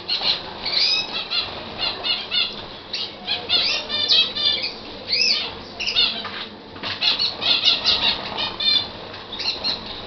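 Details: Libyan canary singing a fast, bright warbling song of high trilled and chirped syllables with ringing overtones, delivered in dense bursts with a brief lull around the seventh second, over a steady low background hiss.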